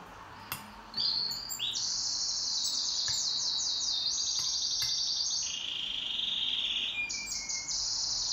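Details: Pet canary singing in a duet, starting after a short quiet pause with a rapid, unbroken flow of high rolling trills, buzzy rattles and steady sustained tones that change pitch between phrases.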